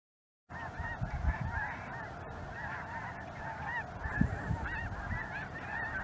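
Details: Snow Geese flying in a large mixed flock with Greater White-fronted Geese and perhaps a Ross's Goose or two, filling the sky over southern Indiana on a chilly January 23, 2023 afternoon: many overlapping high, arched honks, continuous clamour, low rumbling wind.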